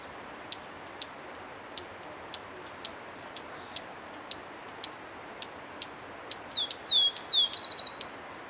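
A cinereous conebill gives a brief, high, thin twittering phrase of slurred notes near the end, after a run of sharp ticks about twice a second over a steady high hiss.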